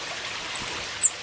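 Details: A Carolina chickadee visiting a front-porch bird feeder gives two thin, very high, short call notes about half a second apart over a steady hiss like running water.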